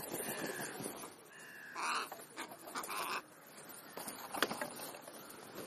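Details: Crows at a late-morning feed, giving several harsh, throaty caws in short bursts about a second apart, with a sharp click near the end and a background hiss.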